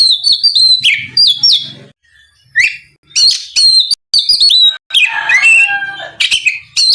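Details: Oriental magpie-robin song for drawing out a rival to sing: clear descending whistles and scratchy notes in short bursts separated by brief pauses, over a low background hum.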